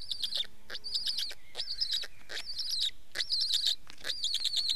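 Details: Black stork: wheezy, grating calls mixed with high, quavering whistled tones, several bursts running close together, others separated by short pauses.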